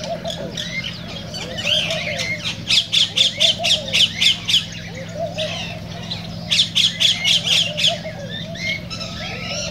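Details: Cockatiels in song meant to prompt mating: two bursts of quick, regular squawking notes, roughly ten in a row each, amid scattered whistles and chirps from other birds and a continuous low droning hum.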